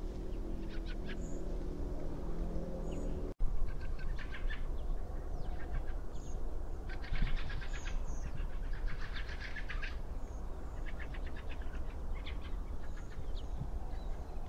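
Fieldfare giving harsh, rattling chack-chack calls in quick bursts over a low rumble of wind.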